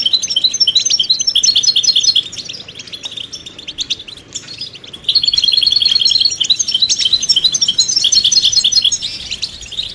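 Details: European goldfinch betbeta and setseta song, played to stir a silent male into song; long stretches of loud, dense, high twittering and buzzy trills are separated by a quieter middle passage.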